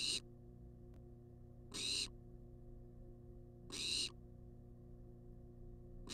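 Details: Nest-box camera on a wild barn owl begging for food: a harsh hissing screech roughly every two seconds, with a faint click between calls and a low steady hum.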